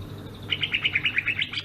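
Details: Short burst of ngerol song from a Sumatran greater green leafbird, about ten quick, bright whistled notes in steady rhythm, rising into higher notes at the end, with a low hum behind.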